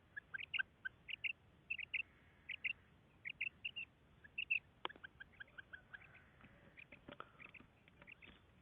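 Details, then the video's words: A female common quail calls in twin high-pitched notes repeated at short, uneven intervals, fading into weaker notes, clicks and background hiss in the second half. "Female Batair Calling"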